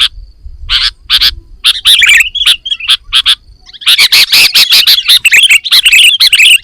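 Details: Sooty-headed bulbul in full isian song: spaced loud chirps over a faint low hum, building into continuous rapid chattering and warbling in the second half.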